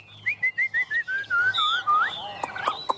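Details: Chinese hwamei, a tame bird singing hard while perched on a hand, delivers a run of short clear whistled notes, then longer slurred, wavering whistles that end in a rising sweep.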